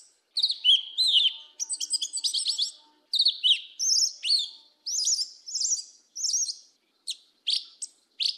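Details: A yellow-legged thrush (Turdus flavipes) sings the southern Brazilian "mateiro" song: a fast, high, varied string of sweet whistles and twittering trills, phrase after phrase with barely a pause, over a faint low hum.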